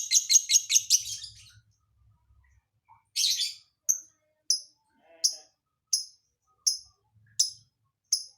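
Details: Fast run of sharp high chirps, then one buzzy burst, followed by single short clipped notes repeated roughly every three quarters of a second: a lovebird's strange song filling.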